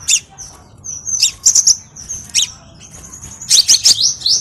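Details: Crimson sunbird singing for a training lure: thin high whistled notes and slurs mixed with fast metallic chip clusters, ending in a dense jumbled burst of piercing twitters.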